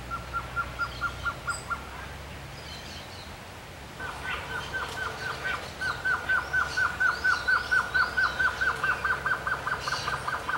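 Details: Male Blue-crowned Trogon (Trogon curucui) singing a long, even series of soft, mid-pitched hooting notes, about two or three each second, with faint chirps of other birds behind.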